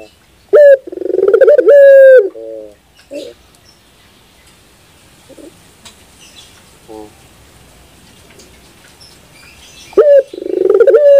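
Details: Barbary dove giving loud, low, rich coos near the start, a few soft short notes in the middle, then another loud coo phrase that opens abruptly at about ten seconds.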